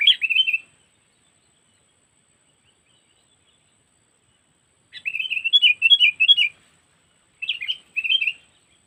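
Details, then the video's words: Sooty-headed bulbul cengkeram lure for trapping, known locally as kutilang, Lampung: three bursts of bright bubbly chatter, the middle one longest, split by silent gaps of several seconds. Nothing else is heard. "Pikat Burung Kutilang Cengkeram"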